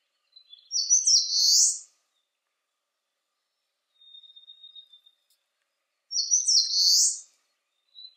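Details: Eastern crowned warbler, sunny and 19°C, repeating its high buzzy song phrase twice about five seconds apart, with a soft, thin, even trill between.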